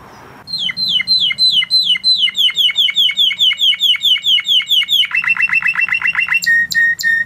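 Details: A blue Spanish Timbrado canary sings fast repeated metallic notes, about four per second, then shifts into a quicker lower rattling trill before ending on sharp higher chips.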